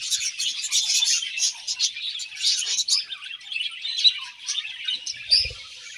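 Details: Morning chatter of budgerigars, a steady mix of rapid high chirps, squeaks and warbles from several birds, pulsing in loudness, with a soft low knock near the end.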